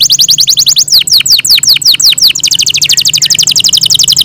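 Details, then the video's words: Yorkshire canary in its owners' care trills rapidly with high, clear notes, first short sweeps, then slower deep-falling whistles, then a dense, fast, even rattle of repeated notes to the end. "yorkshire canary long melodious sound"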